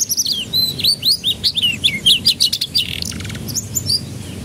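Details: Canary song meant to coax young birds into song: dense, rapid high warbling of slurred whistles and chirps, ending in a quick buzzy trill and softer notes.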